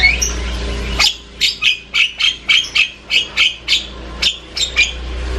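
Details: Loud, varied chatter of an Asian pied starling: a steady series of harsh, buzzy notes repeated almost twice a second, with brief whistles over a low hum.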